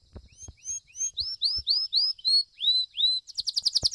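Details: Domestic Belgian canary in a singing competition, 7th edition, fibra-style song: a series of clear rising whistled notes about four per second, then a fast bright trill, with soft low knocks in the background.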